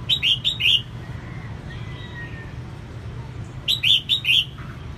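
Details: Female red-whiskered bulbul song meant to stimulate males, given as two bright phrases of four quick slurred whistles each, separated by a gap with faint thin whistles and low background rumble.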